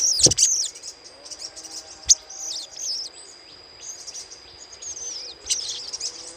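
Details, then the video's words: Little spiderhunter chatter used as a lure recording: a loud click, then a run of thin, high, rapid twittering notes with fluctuating pitch against a steady high hum. "PANCINGAN SUARA CRECETAN SOGOK ONTONG"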